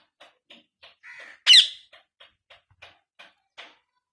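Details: Newly acquired Indian ringneck parakeet kept as a pet, said to be talking for the first time; soft clicks repeat about every third of a second around one loud, harsh rising screech at mid-clip.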